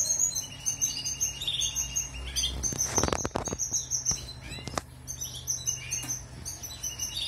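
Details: European goldfinch in song for canary training: quick, jingling high twitters and trills, broken midway by a burst of wing-flapping or rustling clatter before the twittering resumes.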